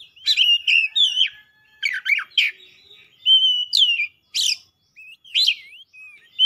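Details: Excited Oriental magpie-robin in vigorous song: dense scratchy chattering notes give way to sweet sustained whistles and falling slurs, then sparse upward-flicking whistles.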